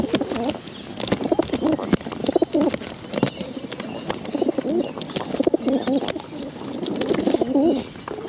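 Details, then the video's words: Hungry bottle-fed pigeons begging: a steady run of low, wavering, warbled squeaks rising and falling in pitch, repeated almost without pause, with clicks and handling noises in the background. "hungry bottle fed pigeons"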